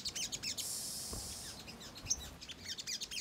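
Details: Ruby-cheeked sunbird song played to stir birds into reacting: quick bursts of sharp, high-pitched chirps with a short hiss, then more rapid twittering notes.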